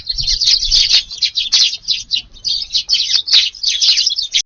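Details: Garden flock of Eurasian tree sparrows at morning feeding in Japan, rain about, 2 August; a constant chatter of sharp high chirps from many birds.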